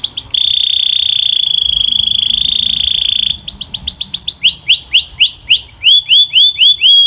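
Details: Singing canary gives a brief note, then a steady, very rapid trill lasting about three seconds, followed by groups of repeated swept syllables that step down in pitch.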